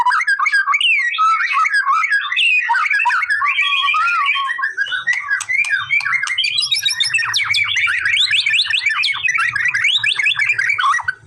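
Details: Singing male white-rumped shama, lively and used to draw a response: nonstop varied whistling and chattering phrases with quick mimic-like notes, over a faint low hum.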